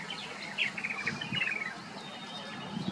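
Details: Purple martin (Progne subis) colony in downtown Batavia, Illinois, with several birds chattering at once in overlapping, gurgling chirps and rich warbled notes over a soft outdoor hiss.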